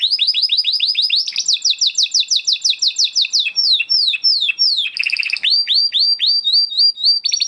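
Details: Spanish Timbrado canary, Huppe (crested), from 2020 breeding, singing training song: rapid chirped notes speeding into a dense run, descending slurred whistles, a brief buzzy trill, then rising notes and a short final trill.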